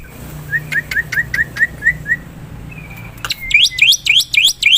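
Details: Black-winged myna in the wild, used as a lure sound: a row of short rising whistled notes with ticks, a thin level whistle, then loud repeated swooping whistles rising steeply, about two per second.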